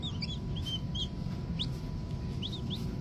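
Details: Small green junglefowl chick calling with a handful of thin, high peeps, a short burst early on, then single sharply rising notes spaced about a second apart, over a low constant hum.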